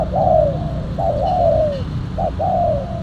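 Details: Lure spotted dove, silver with a black collar, giving steady rhythmic cooing: three long descending coos, each preceded by a brief clipped note, spaced about a second apart, with faint low noise beneath.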